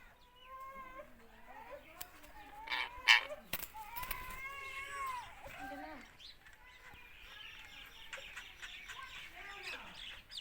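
A rose-ringed parakeet talks in a run of high, nasal, speech-like phrases with rising and falling tones, broken by a few sharp squawks.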